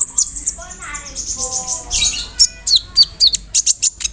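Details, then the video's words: Song of a konin stuffed with borrowed phrases such as cricket and other birds, used to teach songbirds: a soft warbled passage gives way to sharp high chips and whistled flicks repeated several times a second. "SUARA KONIN GACOR ISIAN JANGKRIK, BREM, KAMADE, RAMBATAN FULL MEWAH"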